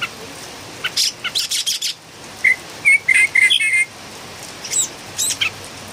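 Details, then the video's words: Philippine bulbul singing, locally called pulanga and described as very noisy: short whistled slurred notes mixed with sharp bursts of chirps, delivered in quick uneven runs with brief pauses between phrases. "PULANGA ma ingay talaga(singing bird)"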